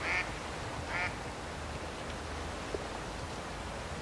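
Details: Two brief quacks from a Mallard open the recording, made at Roshchino, Leningrad Oblast, Russia, on 23 September 2020, followed by low background noise and a faint click.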